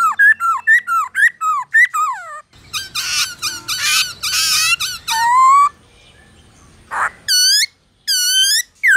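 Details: Black-throated laughingthrush in "forest voice" song, used to stimulate captive birds to sing: falling whistled phrases give way to harsh buzzy chatter, a drawn-out rising whistle, then looping high whistled notes separated by brief silences.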